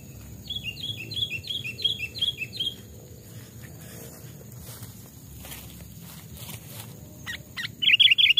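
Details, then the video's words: Caged sooty-headed bulbul raised from a chick, voice-tested in forest; a quick run of seven even down-slurred whistled notes, a quiet gap with rustling and faint chirps, then a loud burst of notes at the end. "burung kutilang pikat||tes mental dan suara saat di hutan 2 jenis Burung Kutilang"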